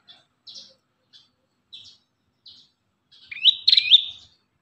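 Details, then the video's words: Ashy tailorbird song, recorded as a master recording for training other birds: a few short, high chirps spaced about half a second apart, then a louder burst of rising, hooked whistled notes toward the end. "MASTERAN BURUNG PRENJAK KEPALA MERAH PALING DI CARI 2024"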